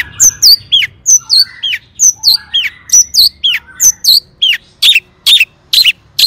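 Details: Long-tailed shrike singing to provoke rival shrikes: a repeated phrase of a high whistle dropping into a slurred downward note, recurring roughly every second, ending with harsher bursts.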